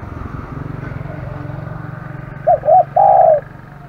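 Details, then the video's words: Aggressive spotted dove cooing: two short rounded notes followed by a longer level coo, heard after a steady low engine hum that runs through the recording. "burung terkukur kg galak"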